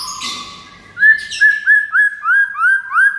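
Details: White-rumped shama tutor song used to teach other shamas and make them respond: after a blurred opening burst, a loud series of six clear rising whistles repeats about every half second, each slurring upward.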